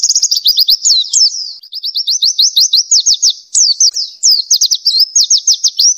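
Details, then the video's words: Nglas-style oriental white-eye song for tutoring other songbirds: long runs of quick, sharp rising chips, about eight per second, broken by short warbled twists, all very high and bright. "MASTERAN NGLAS PLECI GACOR FULL ISIAN"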